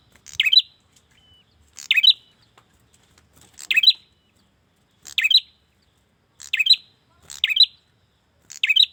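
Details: Male bar-winged prinia (prenjak) calling a female: sharp, high, explosive chirps in short bursts, sometimes in close pairs, repeated about once per second. Silence between bursts, no other sounds.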